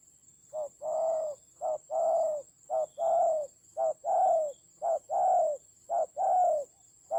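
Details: Spotted dove decoy calling in a fierce fight, Central Highlands mountain forest of Vietnam, 19/10/2020: steady series of deep coos, short note then drawn-out slightly falling note, about one pair per second, with a thin electronic whine throughout.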